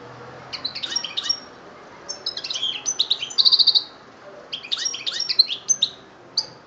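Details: Song of a European goldfinch from Algeria, 2013: three bouts of fast, tinkling twitters and chirps, the middle bout ending in a quick run of five identical ringing notes, separated by short pauses.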